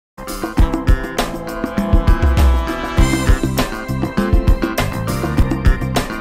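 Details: Lively instrumental music with plucked guitar, keyboard and a steady beat, and no animal sound.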